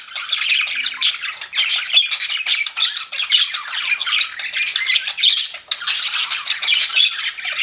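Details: Pet budgerigar chatter: constant high, buzzy warbling and clipped squawks from several birds. A brief pause comes late in the clip before the chirping carries on.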